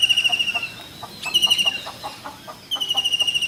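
A common kingfisher gives three bursts of high, piercing whistles, each a rapid run of thin shrill notes, with soft lower ticking sounds in between.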